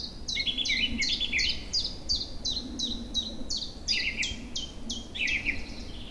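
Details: Newly arrived birds sing in an April forest and meadow chorus in early spring, after the river ice has broken up. A bright song of quick, descending whistled notes repeats steadily, about three per second, with softer twittering underneath and a low rumble of flowing water.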